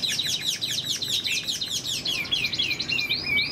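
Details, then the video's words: Large, handsome Chinese hwamei in its cage during moult, singing high: a dense stream of quick looping whistled phrases, varied and tumbling, ending in clearer long slurred whistles. "Chim họa mi đang thay lông, bộ to đẹp, hót cao cầu"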